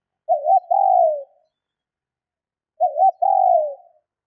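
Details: Spotted dove female calling to stimulate males: two clear coo phrases about two and a half seconds apart, a brief undulating note followed by a steady, gently sinking coo, no other sounds.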